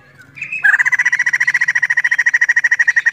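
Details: Female white-crested laughingthrush (poksay jambul) giving a sustained chirping trill: a short higher note, then a long run of rapid, steady, evenly repeated chirps at one pitch, about ten per second, in a quiet setting.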